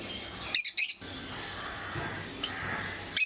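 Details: Kept lovebirds of various colour mutations give two quick bursts of shrill, harsh chirping near the start, then a pause over faint room noise and another sharp chirp at the very end.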